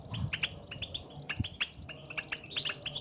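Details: Contact calls of the European goldfinch, used to encourage a quiet bird to sing: paired sharp high chirps separated by short pauses, with a faint low bump early on.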